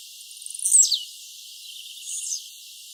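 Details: Wild blue-black grassquit giving one sharp, high, downward-sweeping buzzy phrase, preceded by quick ticking notes, then a softer, fainter phrase a second and a half later. The lower sounds have been filtered out.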